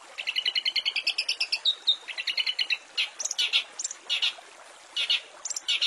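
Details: Long-tailed shrike song meant as fill material for silent caged birds: a rapid, evenly spaced series of paired chirps rising slightly in pitch, then harsher scratchy notes and short whistled phrases with brief pauses.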